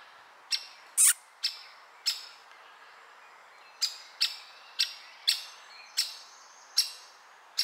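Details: Woodpecker chick calling from the nest: a series of sharp, raspy, high notes repeated roughly every half second, briefly pausing for about a second before resuming, with faint thin whistles in the background.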